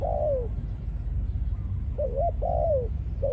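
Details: Male decoy spotted dove kept in captivity, Malaysian line, reported in breeding condition after several ground-feeding outings; clear, mellow coos with a long, downward-sliding final note, repeated twice, over a low background drone.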